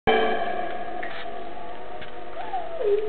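An African grey parrot holds a steady, mid-pitched tone with rich overtones, then slides into a wavering, falling whistle near the end.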